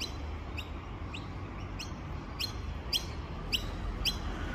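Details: Rainbow lorikeets in Australia, heard up close: sharp, rising screeches repeated about twice a second at an even pace against a steady low hum.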